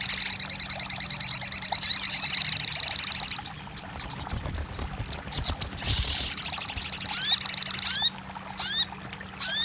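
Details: Crested jay, called sogon, in a therapy recording for a bird that has stopped singing: long rapid high rattles over three seconds, a short break, another rattle, then a few sharp rising whistled notes near the end.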